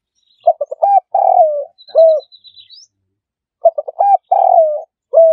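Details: Spotted dove (Spilopelia chinensis) call used as trapping audio: a soft, low phrase of quick stuttered notes, then a long falling coo, repeated every three seconds or so, with a faint thin high whistle between phrases.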